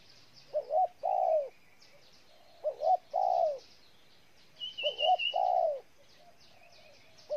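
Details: Spotted dove in Ninh Thuận, Vietnam, delivering repeated coo phrases of quick stuttering notes ending in a long coo, roughly every two seconds, with a brief higher whistle and soft chirping around.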